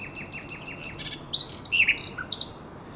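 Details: Common nightingale singing at night by the Żerań Canal, 23–24 April 2022: a soft series of short descending notes repeated about six times a second, swelling into a loud jumble of sharp whistles and rattling chips.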